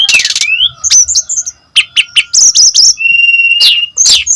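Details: Brown-chested jungle flycatcher singing in full voice, used as a lure for other birds: bright whistled notes, rising and falling slurs, and harsh buzzy bursts in quick irregular succession, with a long level whistle near the end.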